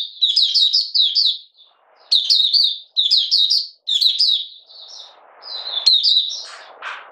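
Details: Mata puteh, the Malaysian Oriental white-eye, caged, in minor moult and lacking form, 31 July 2023: 'buka sing' phrases of quick, high, tumbling chirps in four bursts, followed by quieter notes and rustling noise.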